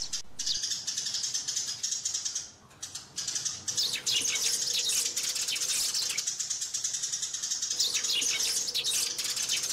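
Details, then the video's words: Sparrows calling and fighting: continuous high chirping and twittering at roughly three notes a second, a brief lull near the start, and a faint low steady tone. "Tiếng Chim Sẻ Gọi Về Và Nhảy - Tiếng Sẻ Cắn Nhau"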